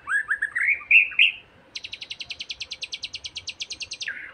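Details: White-rumped shama song, played to provoke another shama into singing: slurred, rising whistled phrases, then a fast, even run of sharp repeated notes, about twenty in two and a half seconds, ending in a low whistle.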